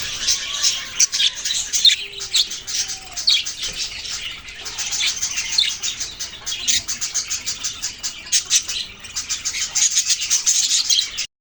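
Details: Budgerigars give a lively stream of high, clipped chirps and warbling twitters in pulsing bursts from many birds, with a few faint lower whistled notes in between.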